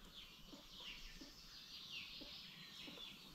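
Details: Free-ranging chickens on a farm giving soft low clucks, roughly one every second or so, against a steady outdoor hiss with thin high chirps of small birds in the background.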